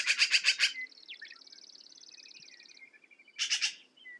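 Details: Black-billed magpie giving a quick harsh chattering run of about five rasping notes, followed by a thin, steady high trill and softer notes, then another short harsh chatter burst.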